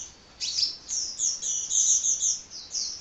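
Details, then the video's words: Kolibri, a hummingbird, chattering continuously in a rapid run of very high, squeaky chirps and short trills that rise and fall in quick succession after a brief quiet opening. "Kicau Burung Kolibri Ngocehnya Ngedyan Ra Leren Leren"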